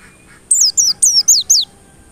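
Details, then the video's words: White-eye song for provoking white-eyes to sing persistently: a string of five bright, high whistles, each dropping steeply in pitch, delivered in quick succession after a short silence. "PANCINGAN PLECI agar NGOTOT"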